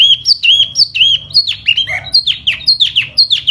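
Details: In spring, a laughingthrush sings with a fanning display: ringing whistled notes that sweep up and then drop, repeated about twice a second, with a short rough burst midway.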